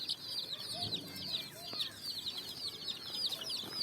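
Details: Colourful chicks running and jumping on sand in the evening sun, searching for food; a dense chorus of high, downward-sliding peeps overlapping continuously, with a few faint lower sounds beneath.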